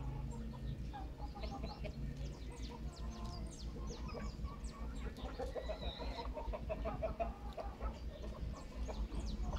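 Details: A flock of grandmother's hens in full noisy chorus, dense clucks mixed with thin high chirps, many short calls tumbling over each other without pause above a steady low background hum.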